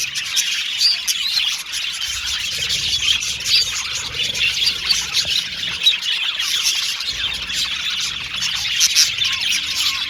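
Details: Several budgerigars chirping and squawking together, a steady mass of high chatter broken by harsher squeaky notes and scattered short whistles.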